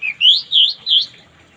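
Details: Morning orange-headed thrush song used to coax silent birds into singing: three quick upslurred whistled phrases in a row, evenly spaced, after a faint opening note.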